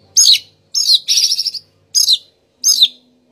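Oriental magpie-robin giving loud, high, chirpy phrases of slurred, falling notes, four bursts about every second, with a faint low hum behind.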